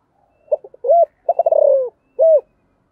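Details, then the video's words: Spotted dove calling and giving its urging call: a few short clipped notes, then a rapid stuttering run that slides down, ending with a single smooth, rounded coo after a short pause. No other sounds are heard. "Sấm thổ gáy gọi và thúc"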